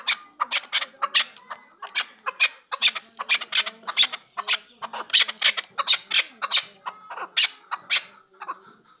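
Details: Chukar partridge from Kabodiyon district: a fast, harsh run of clipped chattering notes, about two to three per second, broad and scratchy, with a faint low hum and a few thin squeaks underneath.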